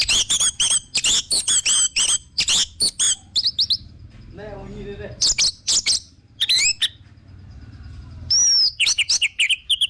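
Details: Vigorous orange-headed thrush song played as a lure: stacked, shrill whistled phrases rapidly repeated, a short lower murmur in the middle, then more bright twisting notes.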